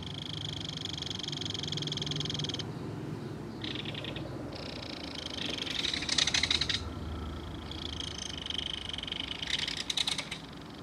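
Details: Adult belted kingfisher calling to its baby, with the baby calling back, at a nest in a mud bank. Rasping rattles come in several bursts, with harsher, louder outbursts in the second half.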